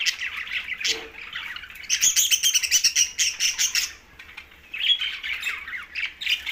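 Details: Green budgies chirp: mid-pitched chatter opens, then a rapid run of high, bright repeated chirps for about two seconds, a brief quiet, and renewed squeaky warbling at the close.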